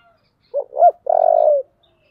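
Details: Spotted dove, thổ voice, giving its fiery fight-urging call. A rising double note is followed by a long, even, trilled coo, one clean phrase.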